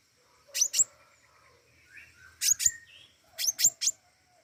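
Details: Flowerpecker, known locally as pentis raja, calling actively: sharp, very high paired ticks given in three bursts, the last a quick triple, with faint softer warbles between.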